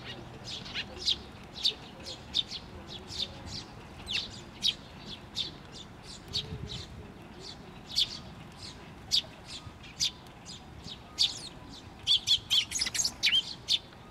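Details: A chick calling from atop a post as a parent bird returns, recorded 16 May 2023 at a shrine: a steady series of thin, high, sharp chips repeated about twice a second, quickening near the end, over constant background hiss.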